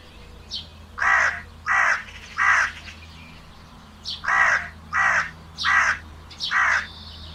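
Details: Crow repeatedly cawing: three harsh, raspy caws, a short pause, then four more in steady rhythm, each about half a second long, over a low steady background hum.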